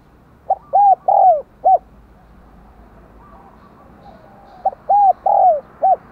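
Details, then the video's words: Decoy spotted dove with a 'giọng đồng còi' voice, calling to get other doves cooing; two matching four-note coo phrases about four seconds apart, with a quiet murmuring background in between. "Giọng Đồng Còi - Chim Cu Mồi Thúc Gù Và Gáy Gọi Cực Sung"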